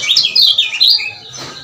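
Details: Lemon-bellied white-eye male from Lombok, ciak-ciak call played as a lure to stir quiet birds to sing; a short burst of rapid, high chattering chirps that fades out.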